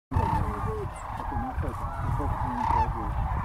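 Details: Cranes gathered on a playa near Wilcox, 26 January 2019: a flock calling together, with overlapping rolling, bugling notes from many birds over a constant low rumble.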